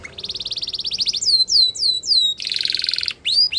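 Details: Canary singing, used as a training song for young birds: a quick rising buzzy trill, then four clear descending whistled sweeps, a harsh rolling rattle, and more falling whistles.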